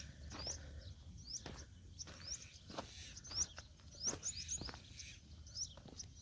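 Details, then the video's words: Wild birds at a desert farm in Ras Al Khaimah, UAE, on a winter morning walk: thin, high, upslurred chirps repeated irregularly about every half second to second, over crunching footsteps and soft outdoor background noise. "Tôi có thể nghe thấy tiếng chim hót, và mặc dù đây là sa mạc nhưng nó thật độc đáo."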